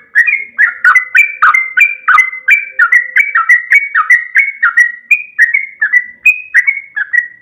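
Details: Trucuk kebo, or yellow-vented bulbul, singing in a lively, loud, non-stop stream of short chirping and liquid notes, each falling or rising slightly, over a quiet background hum.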